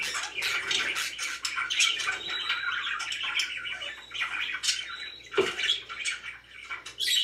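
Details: Happy pet budgies chattering indoors, a busy mix of warbled chirps, harsh squawks and thin whistles, with a brief low thump near the middle and louder calls at the end.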